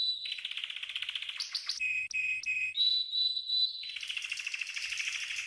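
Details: Green canary singing a training song. A fast trill leads into short rising sweeps, three repeated bright notes, a sustained high whistle, then a dense rolling buzzy trill.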